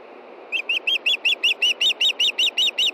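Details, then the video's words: Shrill repeated whistles of a female osprey asking for fish before dark, Montana, evening of 22 June 2013; a dozen clipped, high chirps follow each other at an even, quick pace. "IRIS CALLS FOR FISH AND STAN DELIVERS!"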